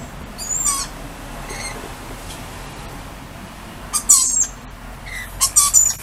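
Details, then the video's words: Lorikeets outdoors saying hi to a person, calling in short harsh screeches: a few scattered bursts early, a quiet gap, then a cluster of rasping shrieks near the end. "Lorikeets Saying Hi"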